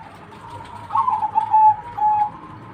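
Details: A zebra dove gives a short cooing song: a quick run of soft, purring coo notes at one steady pitch, louder in the middle and ending with a drawn-out final coo.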